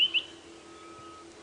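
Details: White-browed Scrub Robin, a male perched in full view singing at sunrise, 6:00 AM on 5 September 2016, Djuma Game Reserve. He gives two quick, high whistled notes over a faint, steady low hum.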